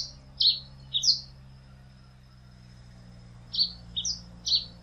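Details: Pileated finch giving two short bursts of high, buzzy paired chirps with a pause of about two seconds between them; steady low hum underneath.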